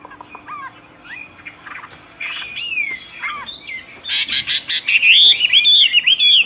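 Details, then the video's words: Common hill myna singing loudly: scattered short slurred notes at first, then harsh broadband bursts and a closing series of looping whistles. "طائر المينا يغرد بقوة"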